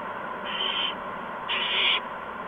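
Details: Owl nest on a March 2015 evening as adults deliver mice and a gopher to owlets; two rasping hiss bursts, the second louder and longer, against a steady noisy background.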